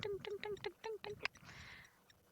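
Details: Blacksmith Lapwing, unhappy at an approaching safari vehicle at Buffelshoek Dam, Sabi Sand, South Africa, on a 4 May afternoon, gives a fast run of about seven sharp, metallic 'klink' notes like a hammer on an anvil; a voice and rustle follow.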